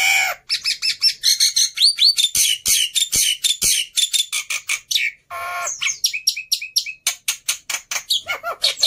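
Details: Black-winged myna, an agitated fighter bird used as a tutor for silent starlings in Indonesia, giving dense harsh squawks and rapid repeated chattering notes, some with rising whistled tones, almost without pause.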